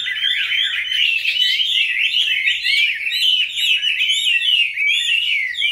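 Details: Caged Chinese hwamei, among several kept birds, raised from a young bird into its fifth year, pouring out a dense, unbroken warble of bright whistled phrases that slur up and down without pause.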